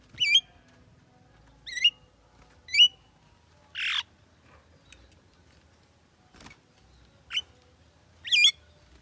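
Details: Talking Javan myna with a run of sharp, wavering notes that rise and twist, one broader harsh squawk in the middle, and a click, spread over about nine seconds in near silence.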